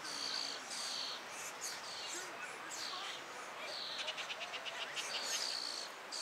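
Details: European starling chicks in a tree cavity beg as a parent brings food: harsh, hissing, raspy chatter in high, rapid bursts that swell and fade, rising to a busier chorus near the end.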